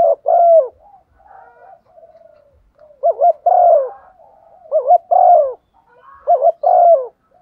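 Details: Calling coo of a female spotted dove played as a lure: repeated low mellow phrases of a short wavering note and a drawn-out falling coo, with faint softer coos between them.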